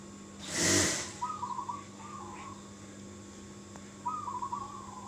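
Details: Local zebra dove in the sri tumpuk song style, used as a lure to draw replies from other doves: soft, rolling, trilled coo phrases in short bursts, one loud broadband thump near the start, steady background hum.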